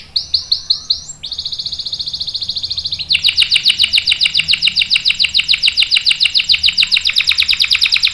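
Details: Long rolling canary song meant for tutoring young birds and prompting singing: a few swooping whistled notes lead into a smooth fast trill, then a loud, very rapid, broadband rattling roll lasting several seconds.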